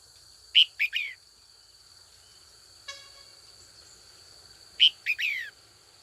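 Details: Afternoon calling by a trained female red-whiskered bulbul meant to provoke older wild-caught males into fighting song. The same quick phrase of three rising-then-falling notes comes twice, about four seconds apart. A brief click sounds between them over a constant high hum.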